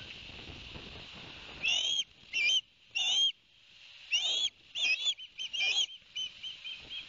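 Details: Barnegat Light ospreys, New Jersey, September 2021, with the male fresh from delivering two fish to the young; loud, rising whistled calls, some slurred and doubled, in irregular bursts over faint rushing noise.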